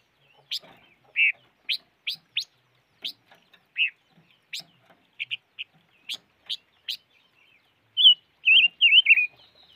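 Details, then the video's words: Five-coloured bird giving scattered high, thin chirps at uneven intervals, with a few short burry notes between them, ending in a loud warbled, wavering whistled phrase. "Suab noog rheeb quaj chim ngũ sắc"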